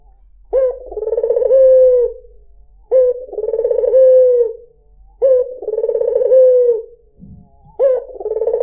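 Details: Melodious cooing of a white dove (puter putih), used to lure other birds. Four steady low phrases with a clipped start, a vibrating trill and a smooth held tail, spaced roughly two and a half seconds apart, plus a faint low thump.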